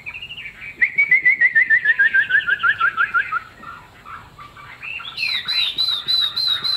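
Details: Caged Chinese hwamei of the leaf-shaped-tail form, singing a steady descending trill of evenly spaced whistled notes, a brief lull, then sharp high repeated whistles.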